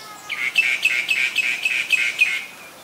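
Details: Common myna, Ubon Ratchathani, Thailand, February 28, 2022, Nikon P1000 recording: a rapid series of about nine harsh, rasping high notes, roughly four per second, evenly spaced.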